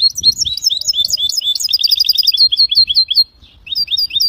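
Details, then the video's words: A goldfinch × canary hybrid sings a fast, continuous run of high twittering notes and bright trills, pausing briefly before resuming; a faint low rumble lies beneath. "هجين طائر الحسون والكناري روعة"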